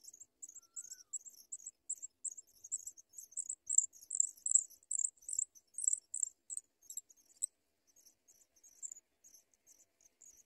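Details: Sprague's pipit chick trying to swallow food while an adult watches gives very high, thin, rapid chips in a steady insect-like run, loudest midway and fading to softer notes after about seven seconds.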